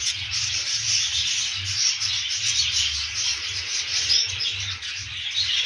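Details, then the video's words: Budgerigars heard as a dense, continuous high chattering and rubbing twitter, unbroken across the whole recording with no clear pauses. "periquitos australianos"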